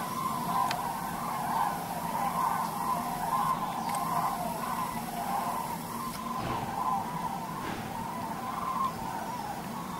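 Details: A distant flock of common cranes over North Rhine-Westphalia, Germany, on 28 November 2010, gives a steady chorus of overlapping trumpeting calls that swell and fade, over a low background rumble.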